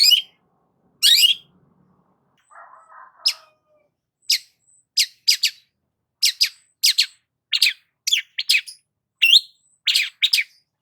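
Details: Long-tailed shrike singing actively, played as a lure to stir stressed shrikes: two loud harsh, buzzy bursts, a faint low rasp, then a run of short sharp scratchy notes about every half second, in otherwise quiet surroundings.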